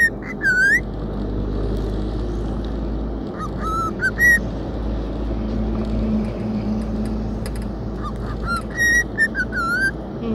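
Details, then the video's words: Pet cockatiel singing a whistled melody on an outing, happy to be out: looping whistled notes in short bursts, some rising sweeps, over a constant low vehicle drone; a person speaks briefly. "นกค็อกคาเทลแสนรู้ น้องมงคลร้องเพลงชาติตลอดทางดีใจได้ออกไปเที่ยว"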